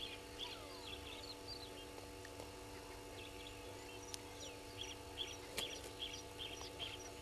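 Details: A brown-hooded kingfisher at Gowrie dam waterhole, Djuma Game Reserve, Sabi Sand, South Africa, at 06:47 on 24 August 2021, gives faint, high, piping notes in quick bursts, two or three a second, over electrical hum and soft chirping.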